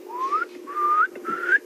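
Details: A Pearl-spotted Owlet calls at sunset on an evening safari drive, giving three drawn-out, rising whistles, each about half a second long and spaced evenly, over a low background rumble.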